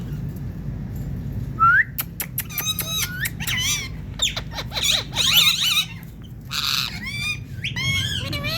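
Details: Talking Indian ringneck parakeet giving a quick rising squeak, then dense chattery runs of sharp clicks and warbling harmonic syllables that fill most of the stretch over a low background hum.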